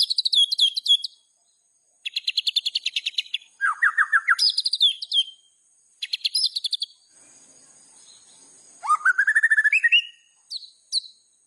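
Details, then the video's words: Varied phrases from a caged white-rumped shama: high trilled bursts, a lower buzzy rattled segment, pauses, then a rising whistled sweep and short high chips. "MURAI BATU GACOR"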